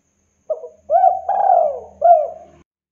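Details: Spotted dove of a local strain calling freely: a brief low note, then a mellow coo, a long drawn coo falling toward its end, and a last rounded coo, all smooth and hollow in a quiet setting.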